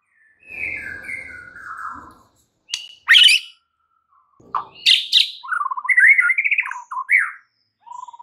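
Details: White-rumped shama song used as a lure for a caged bird that has stopped singing: varied phrases of sliding whistles, sharp high buzzy bursts and rapid trilled notes, separated by brief silent gaps.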